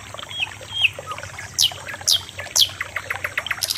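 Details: Sikatan londo, the common nightingale, giving soft whistles and then three loud piercing notes that sweep downward, each about half a second apart, followed by a quick run of dry ticks.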